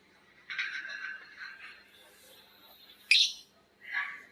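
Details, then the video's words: Lovebirds answering each other in ngekek chatter, a buzzy high screech lasting about a second, then a sharp squawk and a shorter rasping note. "Suara Lovebird ngekek panjang❗Suara bikin Lovebird Betmen vs vio vs paskun saling bersautan."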